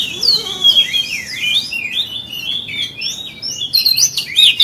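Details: Kacer, or Oriental magpie-robin, singing a provoking lure song: sliding, wavering whistled notes run together, moderately loud, ending in sharper, higher whistles.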